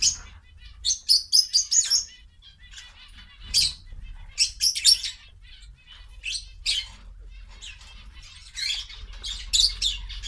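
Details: Quail kept as pets chirp while feeding on vegetables. Thin, high peeps come in rapid runs and clusters, over about ten seconds, with soft background rustle.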